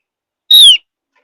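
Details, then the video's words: Single clear whistle, held briefly then slurring downward, from a Javan grey-throated white-eye, a bird of high mountain forest whose song is reputed to draw other birds into singing. "Kicau Tipis, Pancingan Opior Jawa || Opior Jawa Memang Jagonya Bikin Burung Lain Ikut Nyaut~"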